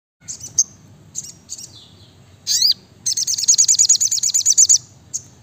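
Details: Brown-throated sunbird singing actively: very high, thin chips, a quick down-slurred whistle, then a fast buzzy trill of about eighteen notes lasting nearly two seconds, over a low background hum.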